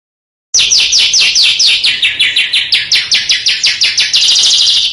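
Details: Sharp, rapid song of a small bird for training competition cage birds: steady stream of loud downslurred chips about three per second, ending in a continuous high buzzy trill.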